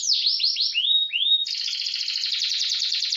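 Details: Canary tutor song in fast roll style: a few quick downward-sweeping whistles and two rising slurred notes, then a dense, high, rapid rolling trill continuing without pause.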